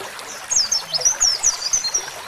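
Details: Oriental white-eye song, a roll filled with canary-style phrases: a fast, very high twitter of thin, sweeping whistled notes tumbling over each other, over a faint hiss.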